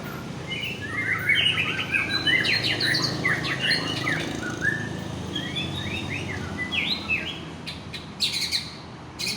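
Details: A white-rumped shama of the Aceh type, a fighter bird in full form, sings a varied run of quick slurred whistles and short sweeping notes over steady low hum and background noise.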